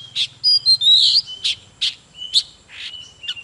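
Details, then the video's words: Oriental magpie-robin singing and dancing gives a few loud, harsh buzzy notes and rising whistles spaced about half a second apart, over a faint low rumble. "Chòe than HÓT MÚA || KÍCH LỬA || Kích chòe than hót căng"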